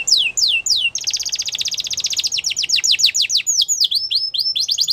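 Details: Canary singing a bright, high song: quick downward-swept whistles, then a long rapid even trill of buzzy repeated notes, followed by rolling slurred notes and dipping whistles, with no other sounds.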